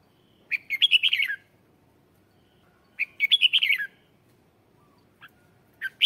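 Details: Lure song of a red-whiskered bulbul, meant to draw in wild birds; a rapid, bubbly warbled phrase of about a second repeats roughly every two and a half seconds, with another starting at the end.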